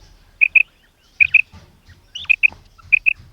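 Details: Female common quail calling, known locally as batair: short clear double notes, each pair quickly repeated, given four times in a few seconds against a quiet background with faint low rumble.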